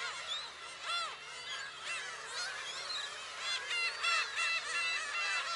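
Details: Black-tailed gulls at a shrine, Friday July 10: quieter chorus of arched, nasal mewing calls, building into louder overlapping bursts toward the end, over a faint low hum.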